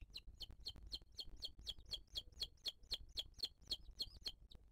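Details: Booted eagle at the nest in 2023, during a live camera feed where the mother feeds her chick. A loud, rapid series of about seventeen bright, two-toned whistled notes repeats evenly throughout, over quiet background.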